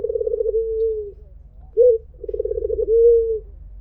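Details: Two rolling coos from a white Barbary dove in the melodious "mpuk jeruuu" style, separated by a single short clipped note; each coo is trilled at first, then smooths out and fades lower.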